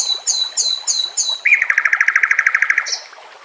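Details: A white-rumped shama, recorded for training songbirds, gives several descending high whistles in quick succession, then a rapid buzzy trill of about a dozen evenly spaced notes, with soft nature sounds behind.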